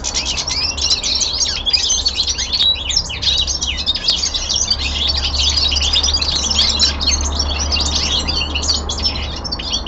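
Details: Young male common linnet singing at home, a steady torrent of quick chirps, dry rattling trills and high twittering notes running without a break, over a soft low background hum.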